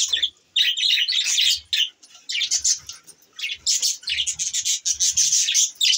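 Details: High, buzzy budgerigar warbling in the morning, given in uneven bursts about three times a second, with short quiet gaps between phrases.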